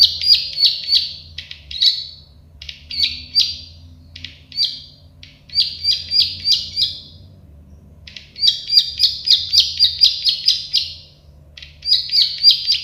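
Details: Plain prinia (prenjak sawah) singing phrases of quick, buzzy clicks in uneven bursts separated by brief gaps, with a longer silence before a final energetic run.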